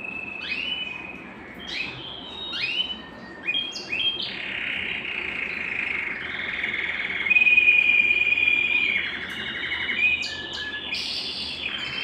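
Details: Belgian canary song for getting birds singing and females into breeding condition: varied short rising chirps and notes, then a long buzzing trill in the middle, ending with more scattered phrases.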